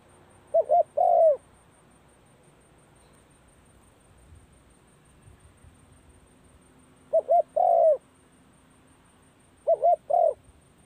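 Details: At the start of the cold season, a spotted dove practises calling. Three phrases arrive several seconds apart, each with two clipped coos and a longer falling coo. A faint low hum sits underneath.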